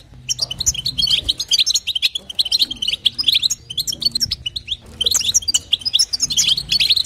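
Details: Calling female European goldfinch meant to stimulate a male: bursts of quick tinkling, chattering notes, high and jingly, with a brief pause near the middle and a faint low drone.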